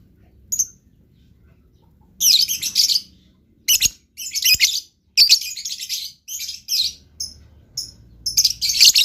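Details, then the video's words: Blue lovebird chattering vigorously (gacor): a lone high squeak, then long stretches of loud, grating, twittering bursts broken by short pauses. "LOVE BIRD GACOR"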